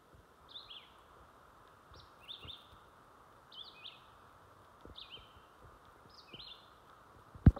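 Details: Songbirds in jack pines near a garden sing persistently: short, repeated phrases of slurred, descending whistles about every one to one and a half seconds, over a low background rumble.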